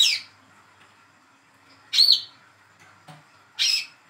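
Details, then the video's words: Young speckled Olive-backed sunbird, hand-raised, used to prompt silent birds to sing: three harsh, broad chirps spaced well apart, with quiet background hiss between them. "PANCINGAN CALL KOLIBRI KELAPA/WICEH MUDA TROTOL BAHAN MACET BUNYI"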